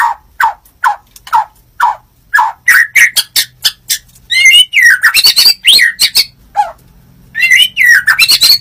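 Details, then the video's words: Murai batu, the white-rumped shama, in Indonesian morning song used to provoke other birds. Evenly spaced short falling notes give way to loud, harsh, buzzy bursts and bright whistled slurs, pausing briefly between outbursts. "PANCING EMOSI 🔥 MURAI paling efektif PAGI HARI"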